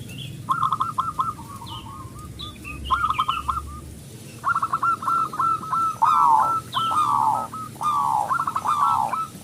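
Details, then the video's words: Zebra dove of local stock with a big voice, singing as a lure for other doves: stuttering fast coos, then drawn-out falling cooing phrases repeated several times, with faint higher bird calls behind. "perkutut lokal gacor suara besar pancingan super ampuh"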